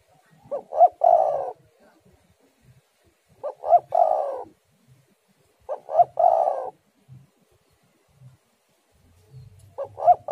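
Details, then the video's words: Spotted dove song used as a lure to prompt other doves to sing: three cooing phrases, each a pair of short rising notes followed by a longer warbling coo, repeated about every two and a half seconds over faint low rumbling. "tekukur super gacor suara angin ribut"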